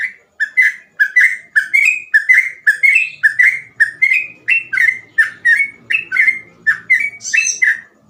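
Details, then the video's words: Continuous ropel song of a trucukan, the sooty-headed bulbul, with easily copied phrasing for training young birds: an unbroken rapid string of loud rising and falling whistles, around three per second, with faint background rumble. "burung trucukan gacor ropel cengkok mudah di tiru"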